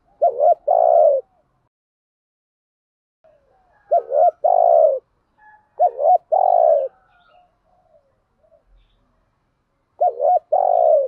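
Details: Decoy spotted dove kept as a cage bird, cooing to lure wild doves. Four low coo phrases, each a short wavering double note followed by a longer steady hum, spaced by silences of about two to three seconds.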